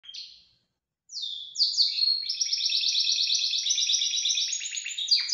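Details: Belgian canary singing outside its cage: a brief whistle, a pause, then descending whistled notes leading into a long, loud, rapid rolling trill of repeated notes, ending with sweeping whistles.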